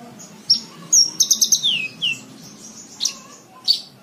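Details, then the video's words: Javan bush lark song used for tutoring caged birds: a clear high whistle, a short series of quick repeated chirps sliding into a downward slur, then spaced single high notes. "MASTERAN BRANJANGAN SATU JAM FULL"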